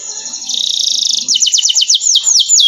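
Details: Canary song from a training recording: a buzzing, pulsed trill, then a string of quick looping whistled notes that curve downward, delivered clearly and close.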